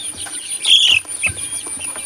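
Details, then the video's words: Chicken chicks playing outdoors give high, thin peeping chirps, with a brighter cluster of notes near the middle and a faint insect-like hiss underneath. "Baby Chick chirping Sound"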